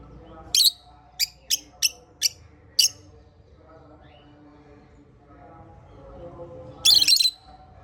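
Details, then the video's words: African lovebird chirps: one sharp high note, then five evenly spaced clipped chirps, a quiet pause with soft hum, and a single loud harsh burst near the end. "African Love Birds Chirping Sounds"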